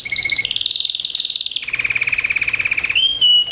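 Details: Canary kept as a pet, delivering rolling trills: a fast high warbling run drops into a long, even lower-pitched rattle. The phrase ends on a short, pure whistled note.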